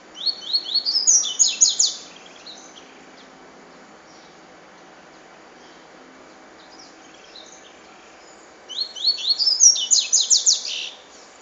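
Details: Double-collared seedeater singing in the cachoeira style: two fast phrases of high, buzzy, downslurred notes, each about two seconds long and separated by a long quiet pause.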